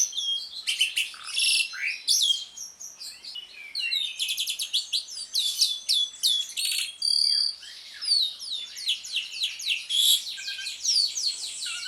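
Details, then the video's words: Black-collared starling singing in a lure recording meant to stir silent birds into song: dense, rapid chattering phrases of harsh clicks, buzzy notes and sharp whistles packed between 2 and 10k, in bursts with brief pauses. "JALAK SUREN NGRIWIK, PANCINGAN JALAK SUREN MACET BUNYI"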